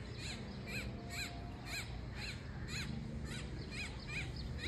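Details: American coot chicks peeping: clear, thin down-slurred notes repeated roughly twice a second in an even rhythm, with a faint low hum of surroundings underneath.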